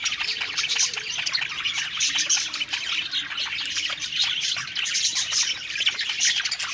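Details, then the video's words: A group of budgerigars sings happily while feeding, producing a busy stream of twittering, warbled phrases and rapid chirps, with many birds calling at once. "Happy Singing & Eating Parakeet Budgies Birds"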